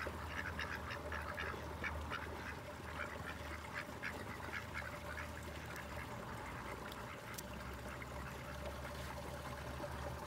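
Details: Ducks in a park quack in short, repeated bursts over a steady low hum of traffic or machinery.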